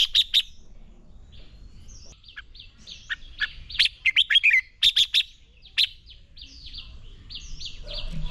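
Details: Red-whiskered bulbul training fighting song: a long, busy stream of bright chirps and quick whistled notes, with dense clusters of loud notes in the middle and softer warbling toward the end.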